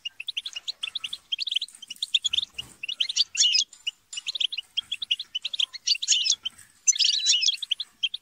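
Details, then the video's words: European goldfinches in lively group chatter and squabbles, meant to urge a bird to sing. Rapid bright twitters alternate with harsh, buzzy, crowded bursts, and a soft rustle is heard near the middle. "بتبتة وتستسة وشجار الحسون - اقوى بتبتة جماعية لتحفيز الحسون على التغريد - بتبتة وشجار لتحفيز حسونك"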